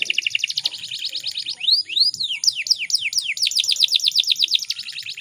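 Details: Canary lure recording, said to be a female, used to prompt males to start singing: fast high trills and rolls, then rising and falling sweeping whistles and more trilling, over a faint hum.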